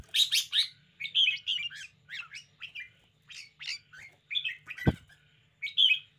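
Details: Caged red-whiskered bulbul performing energetically: a run of bright, bubbling whistled notes in quick phrases, each lasting a fraction of a second, with one sharp click-like thump near the end and a steady low hum.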